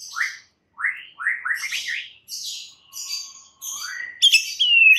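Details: White-rumped shama song used as a lure to rouse stressed birds into vigorous singing: quick rising whistled notes, then buzzy, scratchy phrases and a final sharp, high, falling whistle.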